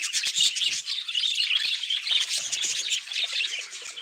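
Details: Steady high-pitched twittering from many budgerigars, fast chirps and buzzy warbles merging into a continuous chatter.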